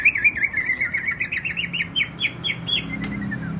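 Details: Greater green leafbird from Banyuwangi, East Java, singing persistently: a fast run of bright whistled notes, each with a quick up-and-down inflection, repeated steadily about four per second with a short sharp click near the end.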